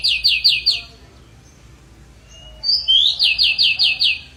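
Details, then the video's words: Energetic pied bushchat song made of rapid runs of identical sharp, downslurred high notes, four in the first burst and about eight in the second, spaced roughly two seconds apart. "Burung decu gacor"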